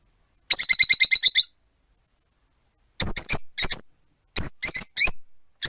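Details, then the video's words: Four rosy-faced lovebirds in a cage by a window, one on a perch: a rapid run of about nine sharp, shrill chirps, a pause, then clusters of harsh, squawky chirps in twos and threes. "Lovebird Chirping Sounds"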